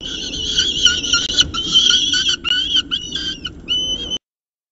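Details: Peregrine falcon calling at its CSU Orange nest over a second meal, 2 November 2018, morning; a run of shrill, raspy calls with rich overtones, ending in a thinner whistled note before silence.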